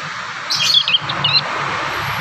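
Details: Young prinias learning to sing, a short burst of a few sharp, high chirps, then a second small cluster, against a steady hiss and faint low rumble.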